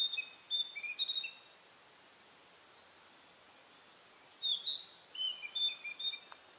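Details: Spring territorial song of a narcissus flycatcher perched on a pine branch in pine forest: a burst of clear whistled notes, about three seconds of quiet, then a second whistled phrase with sharp upward flicks.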